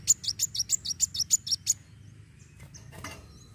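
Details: Fighting song of a kolibri wulung sunbird, meant to prompt other birds to sing: about nine piercing, high-pitched chips in quick succession, then faint scattered squeaks and a short noisy burst.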